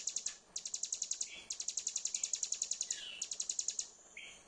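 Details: Song of a prinia called ciblek gunung, used to trigger a bird that stopped singing: three quick trilled runs of sharp high chips, the last trailing into softer lower notes.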